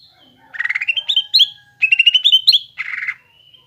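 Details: Singing greater green leafbird, a caged bird used as a lure for young birds: rising trills of quick notes climbing in pitch, a pause, then another rising series ending in a brief buzzy rattle.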